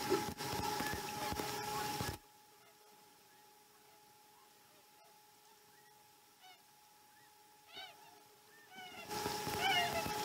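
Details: Osprey at a Chesapeake nest during a slow-starting morning feeding, dated 2019 12 12: a quiet stretch holds short, rising, chirping calls repeated in a quick series, framed by loud rushing noise at the start and end and a steady electrical hum.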